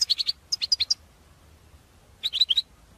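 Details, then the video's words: Goldfinch batbata played to pull in goldfinches for trapping: three fast bursts of high, liquid, chattering chirps, four or five notes each, over a quiet background. "بتبتة الحسون"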